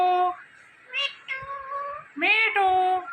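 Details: Indian ringneck parakeet, a talking parrot, giving nasal, word-like utterances in three bursts with rich stacked harmonics, the last rising then falling, all indoors and otherwise quiet.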